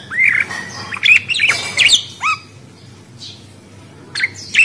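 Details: Budgerigar calling with clear rising-then-falling whistled chirps and some harsh squawks, several in quick succession before a pause, then more chirps, over a low background hum.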